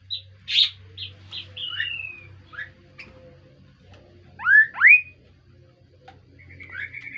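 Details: Kaso-kaso bird giving a melodious, varied call: short whistled notes, a falling slur, then two loud rising upswept whistles and a final warbled phrase, over a faint low hum.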